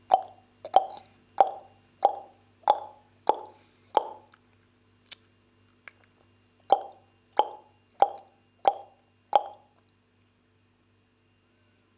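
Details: A run of hollow plopping taps, about a dozen at a steady pace with a short break midway, over a faint electrical hum; no animal voice.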